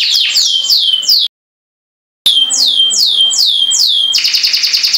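A canary sings a run of high, sweet downslurred whistles, about two or three a second, then breaks into a fast rolling trill. A brief silent gap interrupts the song.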